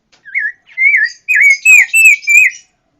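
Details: Pancawarna whistling a sequence of six loud, smooth, wavering notes, each slurring up and down, becoming louder and more drawn out as the phrase goes on.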